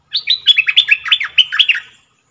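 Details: Caged decoy red-whiskered bulbul giving a loud, fast phrase of bubbling, swooping whistles. About a dozen notes tumble out in under two seconds, then the song stops abruptly.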